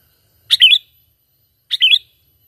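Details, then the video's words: Lure call of a sooty-headed bulbul used in trapping: two loud, clean chirpy phrases, each a quick sharp note followed by a bubbly warbled flourish, a little over a second apart, with silent background. "Pikat Burung Kutilang ISTIMEWA Full Gacor,Panggilan Alami Tanpa Isian"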